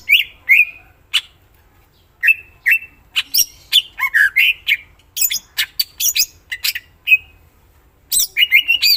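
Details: Varied greater green leafbird song: loud slurred whistles, clicks and buzzy notes delivered in irregular bursts, shifting between high and lower phrases, with a brief lull before a final dense flurry.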